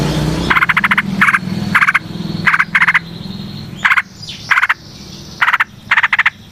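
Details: Trucukan, the yellow-vented bulbul, in lively long rolling song used to draw out and train other birds: clusters of quick bubbly notes in bursts separated by short pauses, with a low steady hum underneath.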